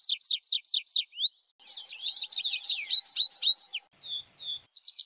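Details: A tree pipit's song opens with a fast series of sharp descending notes and an upslurred whistle. A jumbled chattering trill and a few spaced, high, ringing notes follow.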